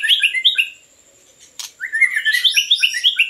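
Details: White-rumped shama song, used to lure birds: two bursts of rapid, varied chirping and warbled notes, the first brief, the second longer with many quick notes, separated by a short pause and a sharp click.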